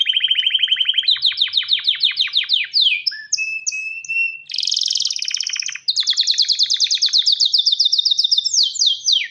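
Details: Male canary ready to mate, calling to a female with continuous rolling trills, short flat whistles in the middle, then a fast high rattle and another long trill ending in a downward sweep.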